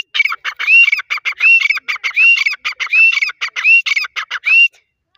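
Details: Grey francolin giving a fast repeated series of short notes punctuated by rising whistles roughly every half second, steady and loud, ending after about four and a half seconds.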